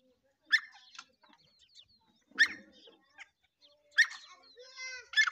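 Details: Black francolin calling: harsh, ringing multi-part phrases repeated about every one and a half seconds, each starting with a loud grating note, with a clear harmonic whistled tone near the end.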